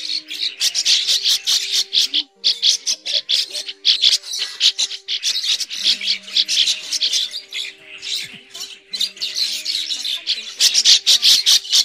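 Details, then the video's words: A flock of migratory red-billed starlings, a recording used as a trapping lure, gives dense, harsh, high chattering and squeaky calls almost without pause, over a steady low electronic hum. "Tiếng Bẫy SÁO ĐÁ mỏ đỏ di cư , sáo đá di cư tiếng chuẩn"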